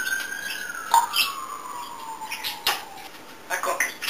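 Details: Pet African grey parrot, described as chatty and making many sounds: one long clear whistle sliding slowly downward over about three seconds, with scattered clicks and faint knocks behind it indoors.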